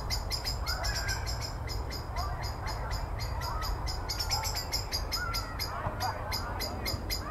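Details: A blackbird scolds and harasses a tawny owl perched in a tree, with a steady run of dry, clicking chacks, about four a second, amid repeated close fly-bys; faint bird calls and low wind rumble underneath.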